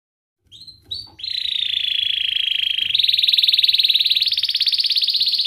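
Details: Canary training song with the rolling ngerol style, sung for young canaries to learn. After two short notes comes a sustained, rapid, buzzy trill that steps higher in pitch twice.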